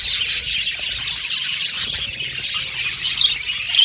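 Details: Male budgerigars of blue and violet colour in a colony aviary: busy high chatter punctuated by a few louder squawky chirps.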